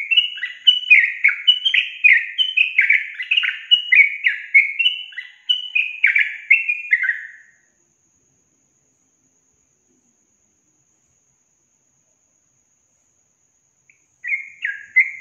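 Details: Sooty-headed bulbul singing, a recording meant to coax hard-to-start young caged birds into song: around seven seconds of quick bubbly descending whistled notes, then a long silence before a brief resumption.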